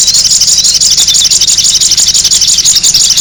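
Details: Noisy sogon bird used as a lure, giving a dense, continuous high twittering chatter with rapid pulses about three per second. The sound stays steady and loud throughout, with no other clear sounds.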